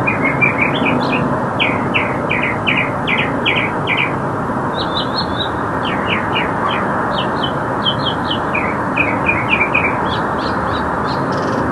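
A Northern Mockingbird sings bright chirped phrases, each repeated several times in quick runs before switching to a new one, over a steady roar of traffic.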